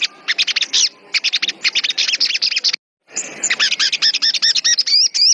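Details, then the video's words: Sogon, agitated and in full song: rapid bursts of sharp, high chirps and trills, a brief silent gap, then a run of repeated rising-falling whistled notes over a lower buzzy layer. "Suara burung sogon gacor"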